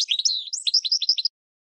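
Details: Goldfinch, song for training cage birds; a short burst of tinkling twitters and rhythmic slurred chirps lasting just over a second, then silence.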